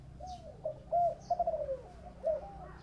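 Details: Spotted dove with a 'thổ bầu' voice: soft lead-in coo, then a stuttered, pulsing run of notes sliding downward, a final short coo; faint high chirps from other birds and low background hum.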